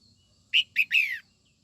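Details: Female red-whiskered bulbul singing in the morning to provoke white-cheeked males: a crisp three-note phrase, two short chirps and a longer falling, slightly trilled note, with soft background noise.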